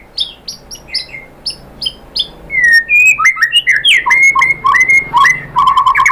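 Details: White-rumped shama song for provoking other shamas to sing: a few paired high notes, then a rich run of varied whistles and quick slurred phrases, ending in a fast repeated chatter.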